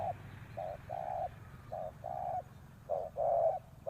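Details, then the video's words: Spotted dove decoy calling wild doves in: mellow, hollow coos grouped as a short note and a longer one, repeated at about one per second against a quiet low background. "chim cu mồi gáy gọi bổi"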